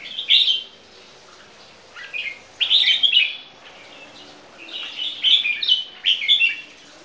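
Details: Display song from a pair of caged crossbred bulbuls of champion bloodline, Red-whiskered Bulbul ancestry; short bubbling whistled phrases, each about half a second, separated by quiet gaps of a second or more.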